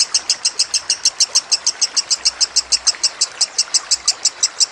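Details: Kusumo lovebird singing over trickling water, used as a training recording: a steady, fast train of sharp, high chattering notes, about five per second, running through the whole stretch with a soft water hiss behind.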